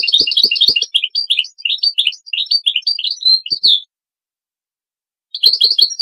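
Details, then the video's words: European goldfinch song played for training songbirds: a rapid, tinkling twitter of high notes running for nearly four seconds, then silence and a fresh burst, with faint low clicks at the start. "How to teach the pure song of goldfinches and songbirds"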